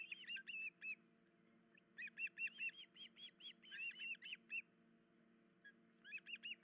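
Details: Alerting osprey at the nest, pair with chicks, female hurt in one leg, early morning 10 July 2019; bursts of shrill whistled chirps broken by silent gaps, a few notes rising at the end, low hum throughout.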